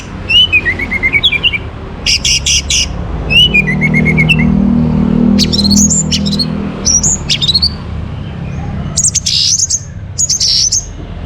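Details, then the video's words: Orange-headed thrush, North Bali, recorded in the morning as a lure to raise breeding condition: a long varied series of whistled descending slurs, scratchy bursts and high rising notes, with soft hum behind. "Naikan Birahi ANIS MERAH pancingan PAGI HARI"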